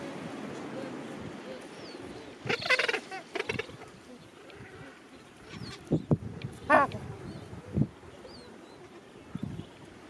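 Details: Gentoo penguins in a crowded breeding colony of thousands at the end of summer; several harsh, goat-like braying calls with pulsed harmonic bursts come at intervals over a steady windy background.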